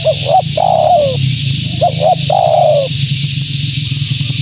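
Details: Female spotted dove calling to attract wild doves: two phrases of paired short notes and a long falling coo, then quiet, with a low steady hum underneath throughout.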